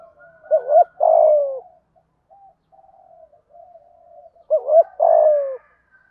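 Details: Spotted dove in 'thúc gù' rousing coo, 'giọng thổ' voice, meant to excite other doves fast: two identical loud phrases about four seconds apart, each a bouncing double note and long sliding-down coo, with quiet murmuring between.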